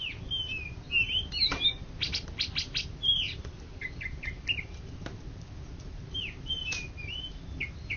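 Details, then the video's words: Greater green leafbird, first-place songbird across Indonesia in 2013–2014, alternating whistled slurred phrases with loud clicking bursts, then a series of short downward whistles spaced about half a second apart. "Cucak Ijo Juara satu se Indonesia Raya 2013 2014"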